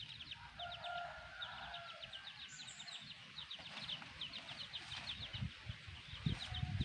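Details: Chicks of a black hen peeping rapidly and continuously in thin, high notes, with occasional low clucks and rustling beneath.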